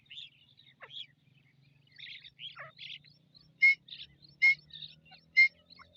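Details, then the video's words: Grey francolin with chicks: three loud, ringing notes about a second apart over a steady scatter of soft, high chirps and twitters, with a faint low hum throughout. "teeter ki Awaz | teetar ki boli | teetar sound"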